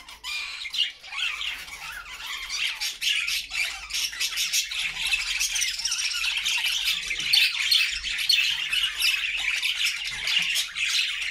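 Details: Happy flock of budgerigars singing in a homemade cage: a continuous dense chatter of scratchy warbles, squawks and chirps from many birds at once, without pauses.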